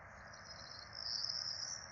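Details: Four Peregrine falcon chicks being fed by their parents at a nest in Rome on 12 April 2024, caught by a nest camera: a thin, high wheezy wail swelling louder in the second half over steady broad hum.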